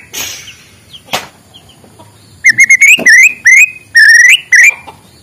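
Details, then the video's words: Morning song of a white-rumped shama meant to stimulate silent birds: after soft background knocks and rustling, a run of bright, level-then-rising whistled phrases repeated in quick succession with brief breaks. "suara muraibatu di pagi hari, untuk pancingan muraibatu malas bunyi"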